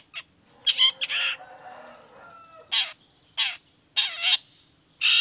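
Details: Long-tailed shrike lure song: a harsh squawking burst trailing into a drawn rasp, then loud grating calls repeated at intervals of roughly half a second to a second.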